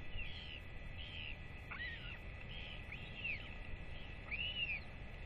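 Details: Royal albatross chick excitedly calling as its parents come home to feed it, 8.10.24; several overlapping curved whistles, some faint and some clear, in an uneven run over steady hiss.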